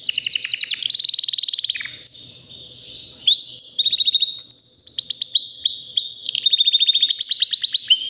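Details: White canary about three years old in powerful continuous song: rapid rhythmic trills, a quieter warbling section, a sharp rising whistle, then varied high trills and repeated notes of changing pitch.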